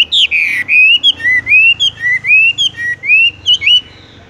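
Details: Horsfield's bush lark singing in the 'tung roll' style, hanging and then rolling straight away: a fast series of bright whistled notes, each sliding up or down, about a dozen in quick succession, fading out at the end.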